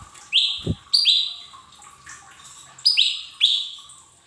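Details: Lesser green leafbird song used as a training recording for cage birds to make them sing: short high chirps and rising whistled notes in bursts, with a soft constant hum behind.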